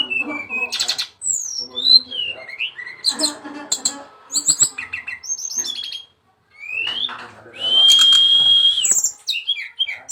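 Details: Brown-chested jungle flycatcher giving lively chirping song: quick slurred whistles and squeaky notes in bursts, a brief silent gap, then a sustained high whistle about a second long followed by more chirps.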